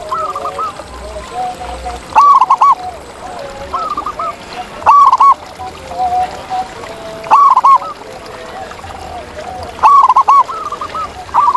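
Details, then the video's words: Zebra doves in nature sing loud, bubbling coo phrases about every two and a half seconds over nearly twelve seconds, against a background of many softer cooing doves. "Masteran Kutut di Alam Ini Bikin Burung Kamu Kaya Bersuara Emas!"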